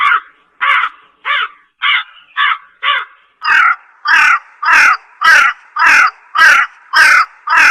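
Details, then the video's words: Steady run of about thirteen hoarse caws from a slender-billed crow; the first six are softer and thinner, then the calls turn louder, harsher and fuller, still about two per second. "SUARA ASLI BURUNG GAGAK HITAM"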